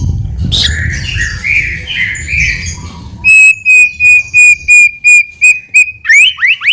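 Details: White-rumped shama singing in full voice as a lure to draw a quick response: a rough, noisy opening, then a run of about nine clipped, loud whistles at one steady pitch, ending in fast rising sweeps.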